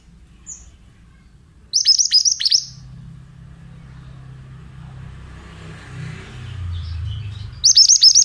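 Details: Oriental magpie-robin, male, song used to lure other birds into answering: a one-second run of rapid, repeated high buzzy notes, a pause with a passing vehicle's rumble, then the same phrase again near the end.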